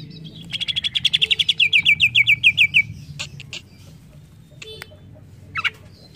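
Greater green leafbird song: a fast trill of about twenty bright, slightly falling notes over two seconds, then sharp clicks and a single rising whistle.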